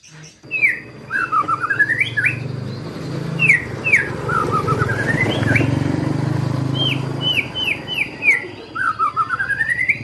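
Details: White-rumped shama (murai batu) singing a varied song: repeated rising whistled notes, a dipping-then-rising whistled sweep, and a run of five quick upslurred whistles, with high ticks; steady low engine-like rumble behind.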